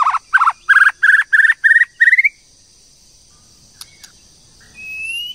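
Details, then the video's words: White-rumped shama female calling to spur a male: six rasping notes repeated about three times per second, rising slightly in pitch, followed by silence and a faint thin whistle. "TIẾNG CHOÈ LỬA MÁI TRỐNG/CHOÈ LỬA MÁI TẠC KÍCH TRỐNG"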